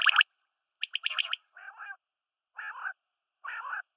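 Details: Quail, female and male calling: sharp clicking bursts followed by three harsh, buzzy, rattling phrases spaced about a second apart, with clean silence between.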